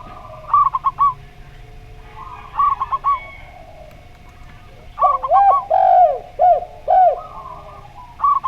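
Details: Zebra dove singing in the slow voice style alongside a spotted dove: several bursts of four fast, staccato hooted notes, then a series of lower, curved coos from the second dove, with a steady hum.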